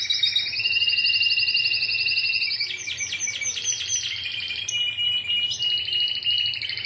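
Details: Timbrado canary song recorded in Greece, 2009 team: a long high trill gives way to a burst of sharp, sweeping clicks, then steady rolling trills at two pitch levels.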